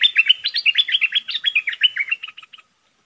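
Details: A cream-vented bulbul (merbah lekir), a caged decoy bird, sings a fast, bubbling run of liquid warbled notes, about four a second, slightly falling, for two and a half seconds, then stops; 22 August 2021.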